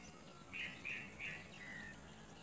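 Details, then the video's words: Baby great myna begging as a parent brings it big crickets: three loud scratchy chirps close together, then a softer trailing note, with low steady background noise. "Great myna baby bird brings big crickets for baby to eat"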